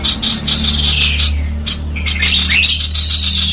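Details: A female Sooty-headed bulbul pours out a fast, dense, harsh chatter of high notes with barely a break, over a steady low electrical hum.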